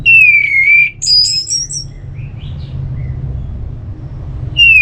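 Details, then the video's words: Orange-headed thrush singing a ngeplong phrase meant to provoke another bird to sing: a sliding whistle dipping and rising again, high rapid notes, then quiet soft notes before another whistle begins. "ANIS MERAH LOYO Bakal SONTAK NYAUT GACOR dan EMOSI dengar Kicauan Ngeplong ini"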